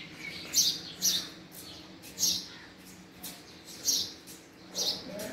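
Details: House sparrow calling with about six bright, high chirps spaced irregularly over five seconds, some doubled, against a low steady background hum.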